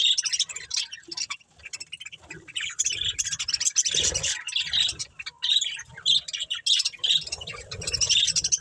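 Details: Pair of breeding budgerigars squawking and chirping, irregular bursts of harsh high chatter mixed with clear squeaky notes, a short lull near one and a half seconds.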